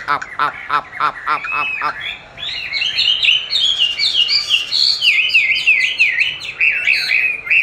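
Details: Caged Chinese hwamei singing against playback of its own song, used for song training; after about two seconds of rapid harsh repeated notes, a loud varied run of whistled, swooping phrases follows, continuing steadily to the end.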